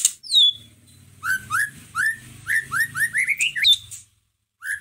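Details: White-rumped shama song used as a lure to stir a listless caged shama into singing: a high descending whistle, then a fast run of upslurred whistled notes rising in pitch, over a faint low hum.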